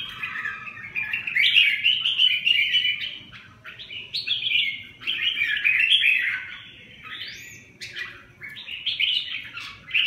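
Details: A red-whiskered bulbul delivers continuous, lively song: tumbling, slurred whistles and chatter in phrases a few seconds long, separated by brief dips, with a steady low rumble behind.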